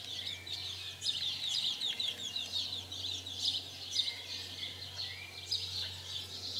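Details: House sparrows during mating, recorded in 2020, chirp continuously in rapid, overlapping bursts, several birds calling at once, with brief thin whistles mixed in.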